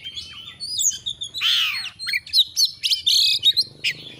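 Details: Lively Oriental magpie-robin song as tutor audio for getting a bird to spread its tail: varied whistles, a loud falling harsh rasp, then clipped bright notes in a rapid, uneven sequence.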